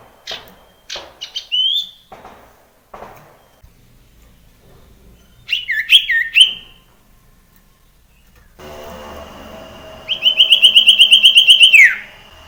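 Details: Common iora in the wild, a sound used to lure other ioras into singing: scattered short chirps and whistled slurs, then a bright trilled whistle held about two seconds before dropping away, over a faint background hum.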